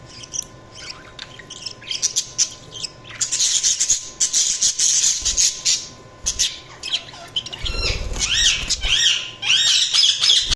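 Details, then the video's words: Budgerigars chattering busily, with rapid squeaky chirps building to a long dense burst of warbling. A low thumping noise is heard partway through, followed by repeated, sweeping, whistled chirps. "Budgies Chirping sound"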